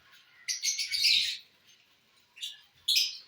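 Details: Lovebirds eating corn on the cob: a one-second burst of shrill high chirps, then two short squeaky calls after a pause.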